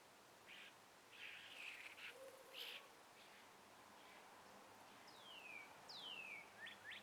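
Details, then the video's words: Morning sunrise birdsong in breeze-stirred trees, with scattered buzzy chirps and short notes early on, then two long falling whistles and quick clipped notes near the end, all over soft background hiss. "birds chirping"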